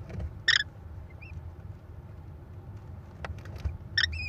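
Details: Nest-camera recording of American kestrels in Wisconsin on May 13, 2021, the mother bringing prey to four chicks; two loud harsh squeals about three and a half seconds apart, with faint thin arched notes between, over low rumbling background noise.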